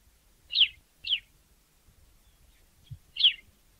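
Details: Sparrow in Africa giving short, sharp chirps, three separate notes spaced about half a second to two seconds apart, with a faint low thump between them.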